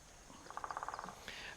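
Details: On a farm property in fine weather, a distant woodpecker gives a quick burst of about ten even, rapid taps or notes lasting just over half a second, with faint outdoor background noise.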